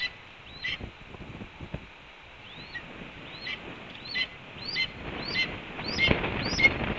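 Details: At a Cornell red-tailed hawk nest on an April morning in 2013, a hawk announces breakfast with hooked whistled notes that build in loudness and quicken toward the end, against rustling and hiss.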